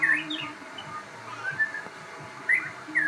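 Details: Crossbred shama giving a few bright, sharp whistles, rising slurs at the start and end with quieter notes between, over a faint background hum.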